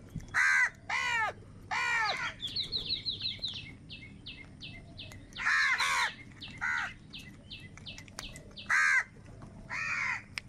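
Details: Crows fighting for food give harsh down-slurred caws in quick pairs, while higher thin chirping notes repeat rapidly in between, over a low background hum.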